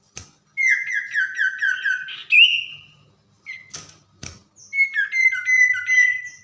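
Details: Common iora, tame, singing at night with a run of descending whistled chirps repeated quickly, a brighter rising note, scattered clicks, then another series of short pulsed whistles.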